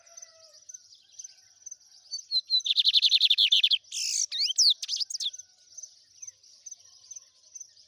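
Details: Lined seedeater singing the trem bala song style: soft high chirps, then a loud fast run of about a dozen buzzy, even notes, followed by harsh rasping and sliding whistles before the thin high chirping resumes.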